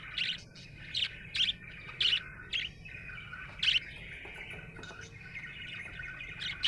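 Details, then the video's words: Cheerful pet budgerigar chirping: sharp high chirps repeated roughly every half second early on, then a rolling warble, a loud chirp near 3.7 seconds and softer chatter to the end. "Happy budgie chirping sound"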